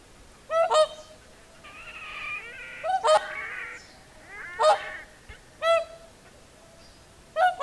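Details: Whooper swans on the shore of Lake Saimaa, Finland, evening at sunset, give loud, trumpeting, bugle-like honks in spaced bursts every one to two seconds, with softer murmuring calls between.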